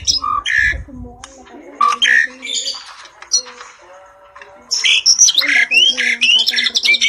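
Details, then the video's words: Asian pied starling pair singing in broken bursts: harsh squawks and chatter, a quiet gap in the middle, then a rush of whistles and rasping notes toward the end. "Burung "JALAK SUREN" Super Gacor 1 Pasang Mantap !!!"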